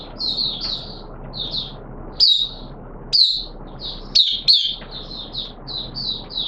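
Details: A kept oriental white-eye sings thin, high twittering phrases in quick bursts, some sharper and rising, over a steady low background hiss, recorded in wet weather.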